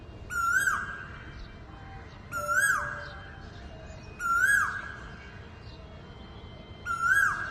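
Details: Asian koel calling loudly in the early morning from a wire outside a window: four loud calls about two seconds apart, each a short upward-sweeping note that levels and trails off, over a low steady background hum.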